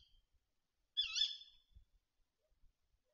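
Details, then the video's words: Tawny owl at a feeder in the Bieszczady mountains, 7 September 2023, calling often. A single harsh, harmonic-rich call lasts about half a second, with a few soft knocks and bumps beneath it. "A to się puszczyk rozgadał"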